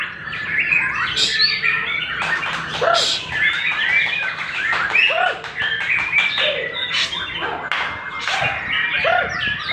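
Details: White-rumped shama, a young captive bird newly in full song and kept for breeding, delivering rapid varied phrases: clipped chirps, rolling chatters and short upward whistles crowded closely together, with percussive ticks throughout.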